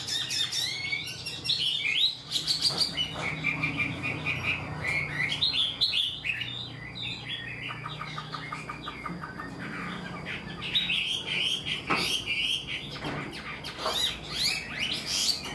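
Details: Captive, untrained Chinese hwamei that sings readily, like a tame bird: long varied song of fluty whistles, downward slurs and fast repeated chattering notes, with brief gaps and occasional wing flutters or cage rustles.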